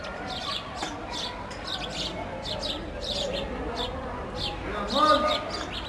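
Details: Sparrows playing and eating bread, with scattered high chirps in short bursts and a brief louder low sound near the end amid steady background rumble.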